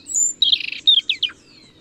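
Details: European robin singing a short phrase: a thin high whistle, then a fast jumble of twittering notes and a few clipped, falling chirps, in a quiet setting.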